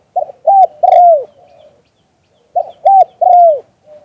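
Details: Recorded live, a spotted dove gives 'liu tan' style coos: a clipped first note, a steady second, and a long sliding-down third, repeated after about two and a half seconds of silence.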